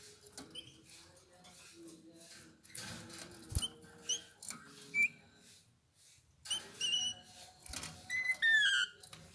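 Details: Eurasian bullfinch song: soft scattered clicks and short piping notes, then a louder phrase of thin whistles ending in two clear downward-sliding whistled notes, over a steady low hum.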